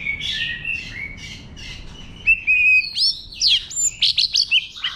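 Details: White-rumped shama in wild-style song to stimulate birds: repeated buzzy downslurred phrases, then loud clear whistles and rapid high sweeping notes in quick succession.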